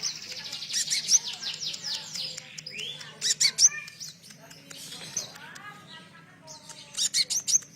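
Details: Sunbird song used as a lure to provoke captive birds into singing, blending in material of the cililin; high thin chirps and sweeping notes come in fast irregular bursts, with a steady low hum underneath.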